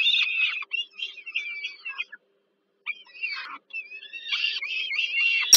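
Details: Peregrine falcon chicks fed by their mother at dinner, Termika Żerań, Warsaw, Poland, July 2022; broken chattering squeals and wavering whines, a long quiet gap mid-way, then renewed wobbling calls ending in a sharp click.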